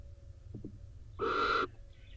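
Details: Inside an Israeli nest box on a rainy day, where the drenched male barn owl has come in beside the incubating female, a single rough, hissing screech lasting under half a second follows two soft clicks.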